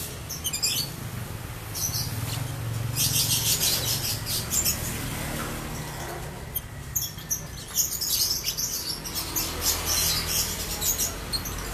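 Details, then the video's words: Ngekek chatter from a home-kept ombyokan lovebird of no clear lineage: dense, shrill, rapid high-pitched chirping in long rolling bursts, strongest from three to five seconds and again near eight seconds, with faint low rumble beneath. "Lovebird Ombyokan Ngekek Panjang"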